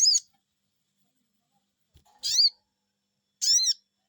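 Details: Sogon bird responding to a lure call with three strong, sharp 'cuiit' notes spaced one to two seconds apart, in an otherwise quiet setting.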